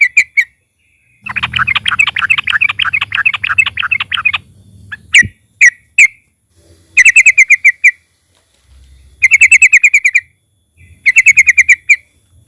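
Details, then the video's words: A trucukan, or yellow-vented bulbul, sings loudly as a lure to get other birds calling. A single sharp note opens, then a long, fast, bubbling chatter. Sharp chips and three tight bursts of quickly repeated ringing notes follow. Faint low hum throughout. "trucukan gacor NARUNG DAN NGALAS, Suara KERAS bikin SEMUA burung TROCOK MU GACOR DAN RAJIN BUNYI"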